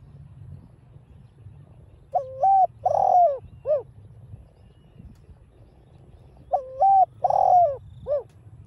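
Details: Repeated spotted dove coos in the giọng đồng pha voice, intended to excite caged birds: two low phrases roughly four and a half seconds apart, each a stepped note, a long sliding coo and a clipped third note, over faint background hum.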